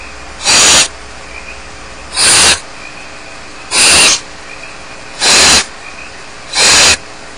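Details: At Starr Ranch, barn owl chicks alone in the nest produce loud, noisy hissing screeches about a third of a second long, five in a row spaced roughly every one and a half seconds, with a soft hum beneath.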